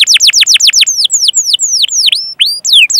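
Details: Canary song used as training material for other canaries: fast series of steep downward-sweeping whistled notes, then slower drawn-out slurred whistles and rising upswept notes, clear and loud.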